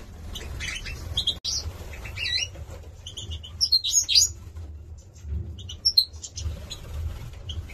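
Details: Young Major goldfinch cocks from 2022 in Gladbeck give sparse, bright, piercing chirps and short sliding whistles in scattered bursts, separated by quieter gaps, over a faint low hum.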